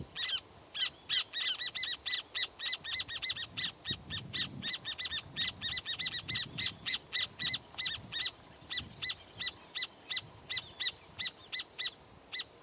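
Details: Noisy alarm calling by rufous horneros standing on a firewood-gatherer's nest, with some displacement behaviour: rapid, loud, sharp repeated notes, dense in the middle and thinning toward the end, several birds overlapping.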